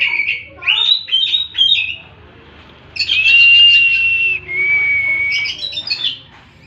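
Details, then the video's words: Oriental magpie-robin with 'tembakan' song: a burst of harsh scratchy notes, a two-second pause, then a loud long whistle held level and a second slightly lower whistle ending in rough chatter. "Tembakan burung kacer"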